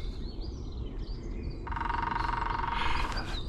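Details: A tiny Lesser Spotted Woodpecker drums from an old dead branch in New Forest ancient woodland, southern England, just after dawn: one long, even, rapid roll of about a second and a half, with low wind rumble and faint distant bird calls.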